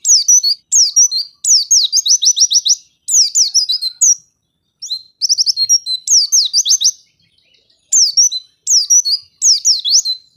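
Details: White-eye song meant as a lure to make lazy white-eyes sing: high, rapid, twittering phrases of sharp down-slurred chirps and trills, repeated with brief pauses between bursts.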